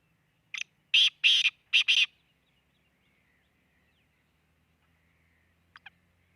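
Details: Near Khushab, Pakistan, a black francolin calls: a brief opening note and four strong grating notes in two pairs, followed by quiet and a faint distant double note later on.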